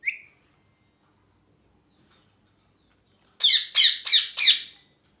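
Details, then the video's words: Pet rose-ringed parakeet gives one short chirp, then after silence four loud, rasping squawks in quick succession. "Parrot Chirping Sounds"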